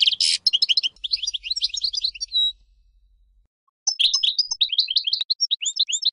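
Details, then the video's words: European goldfinch, Major type, opening with a harsh buzzy note, then lively twittering, a short silence, and another run of bright tinkling chirps. "صوت الحسون الأصلي - Stieglitz Major Beste Gesang - Le roi du chardonneret"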